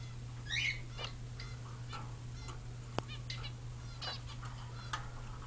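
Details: Pet budgerigars in old recordings from February 2009 chatter with quick, scratchy chirps and brief warbled notes, a louder squawk near the start, some soft clicks, all over a constant low hum.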